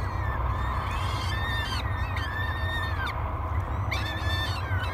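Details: At Great Spirit Bluff on 24 May 2022, three peregrine falcon chicks beg during breakfast on a live nest camera, giving repeated loud, rasping, down-curving squeals in quick succession over a droning low background.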